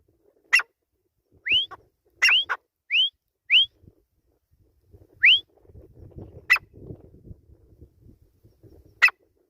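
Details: Grey francolin (teetar): a cluster of rising whistled notes with sharp clicks, then quieter low rumbling and occasional sharp ticks.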